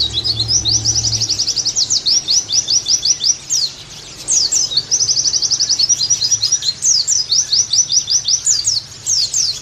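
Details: Oriental white-eye song used as a training recording to restore lively singing in captive birds: it opens with a fast trill, then slurred high chirps, a short pause near 4 seconds, and more twittering phrases with trills.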